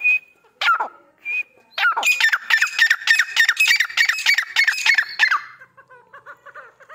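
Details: Grey francolin, one of a breeding couple in Pakistan: a few separate calls, then a fast run of harsh, ringing squawks repeated several times a second for about three seconds, ending in softer chatter.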